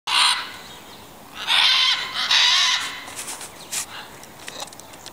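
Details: Captive macaw at the Welsh Mountain Zoo in Wales, heard alongside a noisy parrot: loud, harsh, raspy screeches, three long ones within the first three seconds, then shorter scattered cries.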